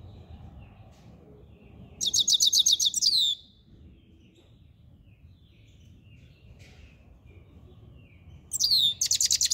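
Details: Song of a Himalayan goldfinch, styled subulata: fast runs of high, twittering and buzzy notes ending in a downslurred whistle, repeated after a five-second pause over a soft low hum.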